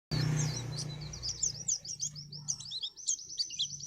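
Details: Moulting white-eye of the dokor type in ngriwik song style: rapid high chirps and short twittering notes, some rising, running almost continuously, over a steady low hum in the background.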